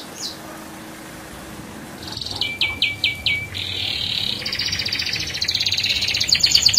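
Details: Canary song used as a prompt for other canaries: after near silence, a few sharp descending chips, then a dense rattling high trill building louder to the end.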